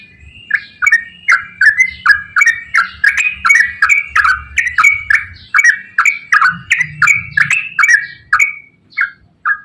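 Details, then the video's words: Rapid chattering song of a yellow-vented bulbul: a steady run of short, liquid, downward-bending notes, about two each second, over faint low background hum. "KICAU TRUCUKAN GACOR ROPEL PANJANG"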